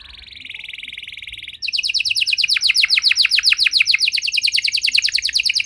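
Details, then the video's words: Canary singing a long cengkok song meant to lure silent canaries to sing: a soft buzzy trill, then a loud rapid series of slurred notes. "Kenari Gacor Durasi Panjang Cengkok Istimewa! Efektif Buat Memancing Kenari Macet Biar Gacor Kembali"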